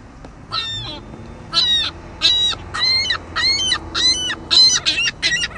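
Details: Juvenile ring-billed gull squawking endlessly, with harsh, nasal squawks repeated about every half second in an uneven series and a low background hum.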